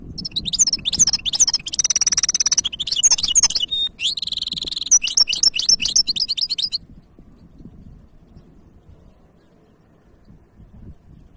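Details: Goldfinch hybrid singing: a rapid, varied run of high twittering notes, buzzy trills and sharp chirps for about seven seconds, then the singer falls quiet while faint low background noise continues.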